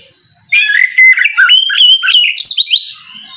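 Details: In the morning an Oriental magpie-robin delivers ngeplong song to lure rival birds into answering; loud, rich whistled notes come in a rapid varied stream for over two seconds, then fade.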